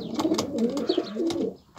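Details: Fancy pigeons of several breeds, including mülemens, güllü and silver-tail, kept together in a fenced coop in Cyprus, giving low overlapping throaty coos that rise and fall with no pause, with faint clicks in the background.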